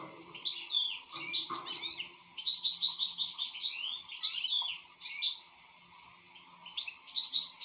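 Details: An actively singing European goldfinch gives fast, chattering runs of bright, jangling notes. The phrases are broken by brief gaps, and a steady low background hum runs underneath.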